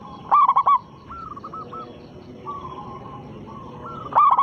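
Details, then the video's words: Local zebra dove, perkutut lokal, singing as a lure to provoke rival doves: loud bursts of three or four cooing notes, with softer repeated coos from another dove between them, over a steady background hiss. "perkutut lokal gacor suara besar pancingan sekali putar pasti langsung nyaut"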